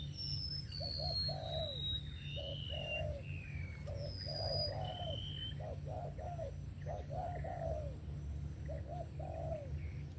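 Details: Spotted dove giving a sấm thổ style coo with a 'về tàng kèm 123' ending: repeated soft hooting phrases in groups of two or three, with high thin whistles from other birds early on and a steady low hum throughout.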